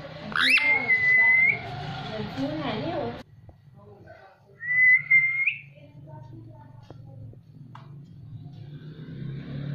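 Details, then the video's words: Talking ringneck parrot mimicking different voices: a raspy, speech-like phrase with a drawn-out whistle at the start, then a short whistle rising at its end, over a steady low hum. "Different Voices of Talking Parrot"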